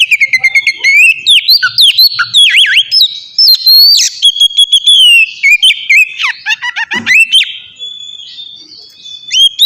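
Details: Oriental magpie-robin (kacer) song for luring captive birds to sing: nearly ten seconds of loud varied whistles, repeated slurred phrases, trills and sharp chips, fading somewhat near the end.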